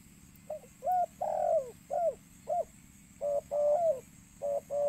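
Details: Spotted dove cooing, a recording meant to call birds: soft low hollow coos in short groups, a brief note followed by a longer drawn-out coo that falls at its end, over a steady background hiss.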